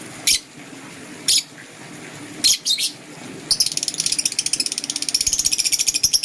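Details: Morning chirps of green and blue lovebirds: a few separate shrill chirps, then a fast, steady rattling chatter of rapid high notes that keeps going and grows louder.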